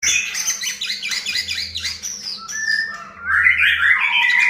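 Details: White-rumped shama song used as a lure to provoke a bird into singing: a busy run of varied chirps and whistles, then slurred warbling phrases, over a low steady hum.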